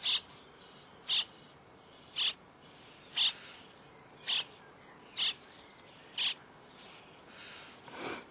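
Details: Common starling chicks at feeding time: short harsh hissing rasps, high and broadband, repeated about once a second in a steady series of eight, with a faint softer rasp near the end over quiet background.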